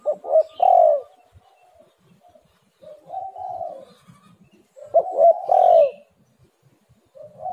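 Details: Spotted dove call used as a lure to prompt lazy birds to call, low soft coo phrases with a stuttering start and a longer rolling coo, repeated about every two to three seconds.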